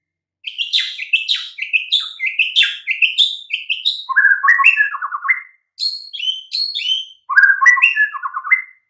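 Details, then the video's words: White-rumped shama song played as a master to make silent birds reply: continuous fast stream of sweet whistles and downslurred notes, with lower stuttering trills mixed in and brief gaps. "Nggak butuh waktu lama Murai Batu BISU & LOYO langsung NYAUT Seketika dengan MASTERAN Ini"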